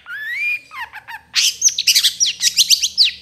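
A shrike sings a rising whistle, then a quick run of sharp, chattering notes and scratchy trills repeated several times a second. Nothing else is heard.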